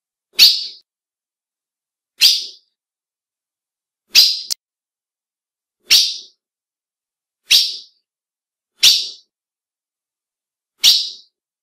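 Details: Female ultramarine grosbeak calling to excite males, which recognise the female's call: seven short, harsh, descending chip notes, each under half a second, spaced about one and a half to two seconds apart, with clean silence between them.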